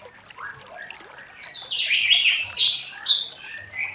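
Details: Orange-headed thrush singing in the 'ngeplong' style in the late afternoon, meant to lure other thrushes into song; after a quiet opening, a loud run of high, varied whistled and buzzy phrases sweeps up and down.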